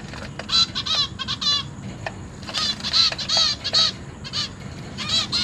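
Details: Zebra finch young begging while parents feed them in a cage: bursts of nasal, buzzy, stacked calls come several per second in clusters with brief gaps, against a faint low background hum.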